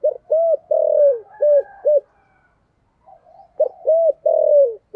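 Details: Spotted dove with a 'giọng thổ' voice, a recording played to lure wild doves in; two phrases of five low hollow coos, one note longer and falling, separated by a quiet gap with soft faint cooing.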